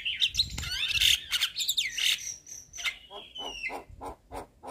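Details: Chattering white-eyed jalak kebo, a Javan myna used to provoke a stalled bird into singing. Tangled buzzy, squealing whistles give way to a long drawn whistle, then a run of evenly spaced harsh clicks.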